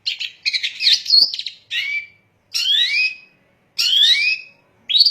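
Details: Long-tailed shrike giving harsh, grating phrases to excite other shrikes into song: a jumbled scratchy opening, then long rising, buzzy, nasal notes about once a second.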